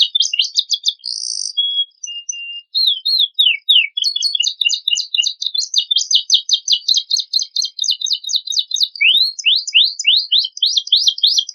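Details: Canary, used as a master to make untrained birds sing, delivering a long loaded song. A buzzy phrase and soft whistles are followed by a long, fast, rattling trill of high notes. It ends in a series of rising sweeps. No other sounds are heard.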